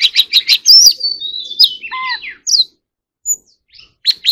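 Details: Oriental magpie-robin in 'hót líu' fighting song: four quick rhythmic chips, a long sliding whistle and a low mellow downslur, then scattered short notes and a final pair of chips after a pause.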